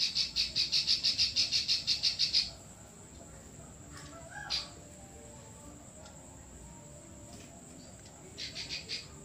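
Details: Klik-klik bird in full continuous chatter, recorded as a tutor track for training other birds: a fast, even run of about thirteen sharp high clicks over two and a half seconds, a pause, then a brief second burst.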